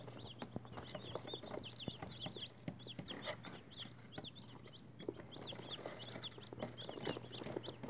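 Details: Chicks hatched for Easter 2018 peep almost nonstop: a dense chorus of short, high, rising-and-falling notes from several birds, set against a constant low hum and frequent light clicks and taps.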